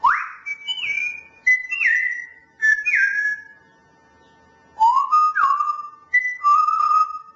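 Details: A Grey parrot whistles the Dutch song "Tulpen uit Amsterdam" in clear, pure, slurred notes. Short rising and falling phrases are broken by a pause of about two seconds.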